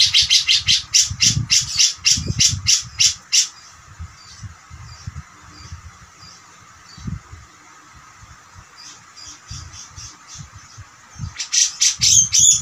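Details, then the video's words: Cucak jenggot song used as tutor material for songbirds: rapid, high, harsh repeated notes in a dense burst, a quieter stretch with faint scattered notes and low thumps, then another loud rapid burst. "Masteran suara cucak jenggot gacor"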